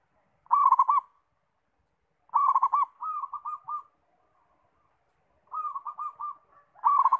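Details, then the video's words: Zebra dove (perkutut), said to sing readily, repeats loud rolled coo bursts followed by softer stuttering trills, phrases coming roughly every two to three seconds in a quiet setting. "Anggungan gacor - langsung bunyi"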